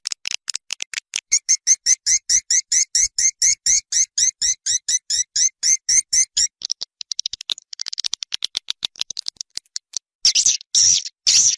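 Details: Swiftlets outdoors in Malaysia, sound for attracting them to nest: a steady train of sharp, two-part high chirps repeated about five times a second for several seconds, then scattered clicks and a loud twittering burst.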